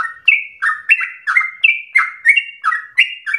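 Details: Rapid, insistent Sooty-headed bulbul song recorded as a lure and training model: chirpy whistled notes alternate high and low, each slurring down, in a brisk uneven series.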